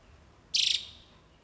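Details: Jalak uret starling singing energetically, giving one short, harsh buzzy rattle made of rapid pulses that fades quickly against a quiet low hum.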